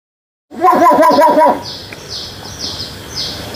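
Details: Common myna (Acridotheres tristis), talking.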